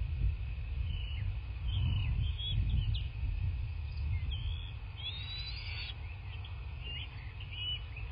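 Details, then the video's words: Bald eagles at a nest in a quiet southwest Florida landscape, filmed by nest camera on 03/02/2024 at 10:34 in the morning. Scattered high, thin chirping notes, several clustered mid-clip, over steady low rumbling background noise. "Bald Eagles (Nest Cam)"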